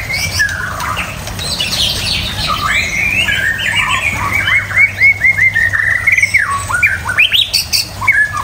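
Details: Varied song of a caged white-rumped shama: tumbling whistled phrases, sharp upward sweeps and scratchy chatter, growing louder and more clipped toward the end, over a low steady hum.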